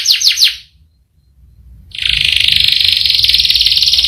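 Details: Canary song: three quick swooping notes, a short pause, then a sustained buzzy rolling trill held steady to the end.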